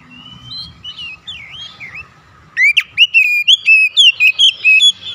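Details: Oriental magpie-robin calling, with another responding: soft distant wavering whistles at first, then a loud close series of bright whistled notes repeated rapidly for about two seconds.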